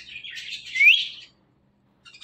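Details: Talking pet parrot playing with its best friend: hissy high chatter that ends in one clear rising whistled note, followed by near silence.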